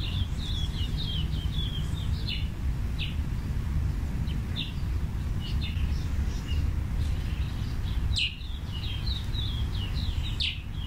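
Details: Scarlet-chested parrot (splendid parrot) twittering continuously: rapid high chirps and short squeaky notes in loose bursts, with a few sharper clicks, above constant low wind noise.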